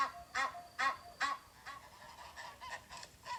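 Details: Goose honking, heard as three loud, nasal honks about half a second apart, followed by quieter, more distant honks from other birds.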